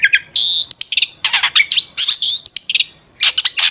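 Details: Long-tailed shrike singing energetically as a lure recording to make shrikes sing: dense bursts of harsh buzzy notes mixed with piercing whistles and rapid chatter, one short quiet gap near the end, then more scratchy notes.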